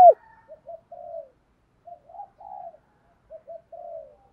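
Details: Soft, low cooing from a spotted dove used as a lure for wild birds. Short muffled groups, each two brief notes then a longer wavering coo, repeated three times over four seconds. A sharp sound opens the clip.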